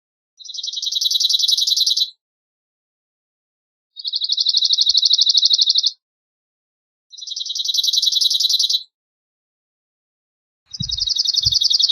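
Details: Cirl bunting singing: dry, rapid, even-pitched rattling trills of about two seconds each, given four times with pauses of roughly a second and a half between, plus a couple of soft low thumps near the end.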